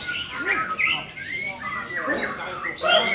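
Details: Murai batu, the Oriental magpie-robin, delivering a varied loud song of harsh squawks, rising whistles and scratchy chatter that runs without break, ending on a burst of high notes.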